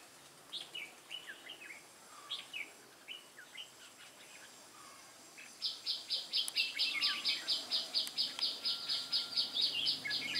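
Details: Wild-caught red-whiskered bulbul, recorded 22 October 2018: short whistled, warbling phrases sliding between mid and high pitch, then a fast, regular train of high, harsh pulses takes over the second half.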